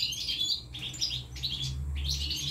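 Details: European goldfinch chicks at the nest being fed, three nests of young: rapid high thin chirps in bursts, separated by brief pauses, with a steady low hum underneath.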